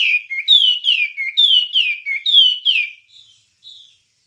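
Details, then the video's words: Wambie song for training songbirds: bright, down-slurred whistles repeated about every half second, each with a high ringing overtone, then two faint soft notes after a short break. "Ocehan Suara Burung Wambie"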